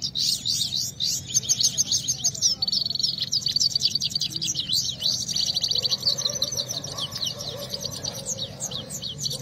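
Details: Rival Himalayan goldfinches in competitive singing: rapid, high twittering song, a dense stream of bright tinkling notes and trills, with a faint low hum underneath.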